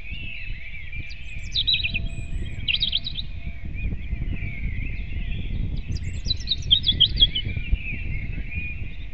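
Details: Robin singing at dawn on 8 April 2016 around 05:48: thin, high warbling phrases with quick trills, bursting out every couple of seconds over a steady background chorus of other birds and low rumbling noise.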